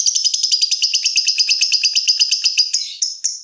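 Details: Caged lovebird in ngekek song: dense, rapid high chatter of evenly spaced buzzy pulses for almost three seconds, breaking into a few separate sharp squeaky notes at the end.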